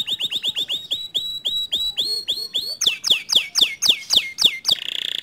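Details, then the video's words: Canary song used to stir a reluctant canary into singing: a steady series of high, sharply descending whistled notes at about four per second, growing louder and ending in a brief fast trill. "Memancing Emosi Kenari Malas Bunyi Agar Ikut Gacor Dengan Kicauan Kenari ini"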